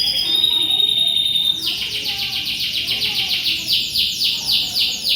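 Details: Canary singing energetically as tutor song for a magpie-robin: a held high whistle gives way to a rapid, rhythmic run of repeated rolling notes, several per second, bright and high.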